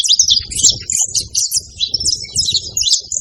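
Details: Wild saffron finches in a group at a feeding site, calling noisily: a busy stream of sharp, high twittering chirps, some overlapping, over soft low thumping and background noise that comes and goes.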